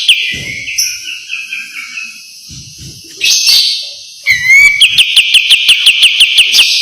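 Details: White-eye master song for training in the 'besetan' style: soft twittering and thin whistles first, then a rising whistled note launches a fast, regular series of sharp ringing chips.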